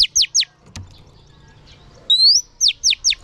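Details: Female oriental magpie-robin song used to stimulate males: three quick falling notes, a quiet gap with a faint click, then a long rising whistle followed by three sharp descending notes.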